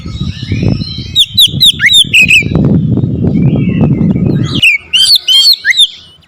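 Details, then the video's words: Oriental magpie-robin, a kept songbird, singing hard and aggressively after being provoked to challenge a rival: bright whistled notes and sharp up-and-down slurred phrases in rapid bursts, over low rumbling background noise that stops midway. "KICAUAN KACER POWER KERAS | MEMANCING EMOSI KACER LAWAN LANGSUNG NGOTOT BONGKAR ISIAN"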